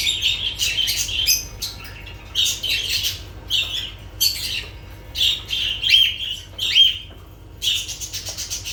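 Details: Lovebirds giving repeated shrill squawks and chirps, roughly one burst every second, each harsh and piercing, with quieter chatter between them.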